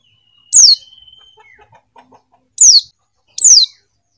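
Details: Female Buxton's white-eye calling to males: three very high, thin notes sliding steeply downward, spaced about one to two seconds apart, over a faint steady whine.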